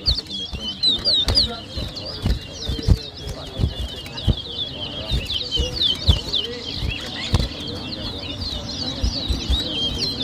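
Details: At a whistling competition in Berbice, Guyana, 2023, the towa towa pours out a sustained, rapid chain of shrill, slurred whistles while sharp knocks and scattered voices punctuate the background.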